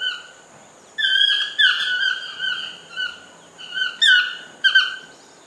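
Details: Toucan singing in a garden at a lodge: repeated croaking yelps, each sliding slightly downward, grouped in short bursts about every half second to a second, against a quiet background.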